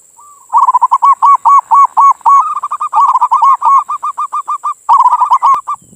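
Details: Local zebra dove (perkutut) song meant to stir other doves to sing: a long, fast, steady series of loud hooked coos, some slightly higher, with a brief break near the end and a constant high hum.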